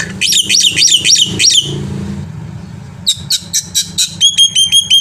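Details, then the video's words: Varied song of a black-winged myna, offered as master song to stir birds into singing: a rapid chain of buzzy chevron notes, a lull, then quick clear chips and rhythmic ringing whistled notes. "suara masteran burung jalak putih gacor full isian AMPUH untuk memancing bunyi"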